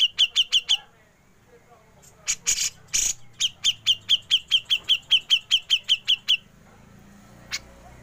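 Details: Grey-cheeked bulbul 'besetan' and 'ngepik' used for training songbirds: four sharp high notes, a pause, several harsh rasping bursts, then a fast even run of about fifteen clipped high notes, one faint note after.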